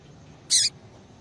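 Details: A single brief, harsh, high-pitched call note from a female yellow-bellied seedeater, given to stimulate a male for breeding; quiet background otherwise.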